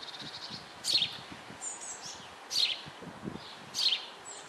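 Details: Eurasian blue tit chicks in a nest box being fed in May 2012, shortly before fledging: high thin chirping bursts repeat roughly every one and a half seconds over steady background rustle and noise.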